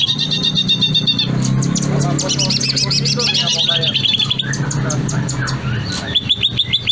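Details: Long, varied song of a greater green leafbird with dense overlapping chirps, warbles and slurred whistles, quick repeated high notes, and a final burst of rapid chips, all over a steady low hum.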